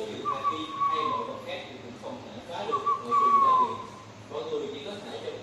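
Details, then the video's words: Newly acquired spotted dove cooing about half an hour after arriving at its new home: two soft, hooting coo phrases about two and a half seconds apart, each sliding slightly downward, over a low background murmur. "Cu gáy liên cườm đã cất tiếng gáy"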